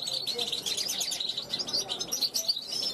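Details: European goldfinch hatched in 2021, calling from a balcony to wild goldfinches passing by; fast, dense twittering of high, tinkling chirps with liquid trills, running without pause through the whole stretch.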